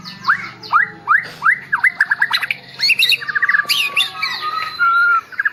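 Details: Medan-type white-rumped shama, described as bowing over and over as it sings, gives a series of rising whistled upslurs, then rapid trills, sharp high notes and a long steady whistle, varied and loud throughout.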